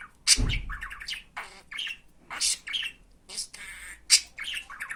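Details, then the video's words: Pet budgerigar talking, with Turkish phrases such as "Hani benim fıstığım, benim aşkım, iyi günler". Rapid scratchy, buzzy syllables alternate with sharp high chirps in quick bursts, with one loud low thump near the start. "Muhabbet Kuşu Konuşturma Sesi"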